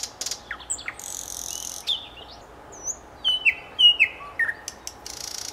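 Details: Varied song of a common nightingale: buzzy high rasps, sliding whistles and several rising whistled notes with short gaps between them, plus a brief hissing burst.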